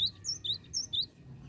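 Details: Gelatik batu (cinereous tit) singing 'oworr oworr': three rapid pairs of clear high whistles, each pair stepping between two pitches, then the phrase stops.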